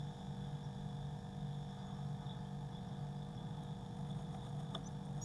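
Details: Constant low engine-like hum with faint tonal drones and a single brief click near the end, and no animal calls.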